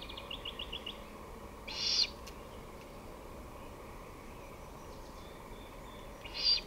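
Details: Great horned owl, evening of 23 May 2018 at 5:53 pm: a run of faint ticking notes, then two rasping, hissy screeches about four and a half seconds apart against low steady background noise.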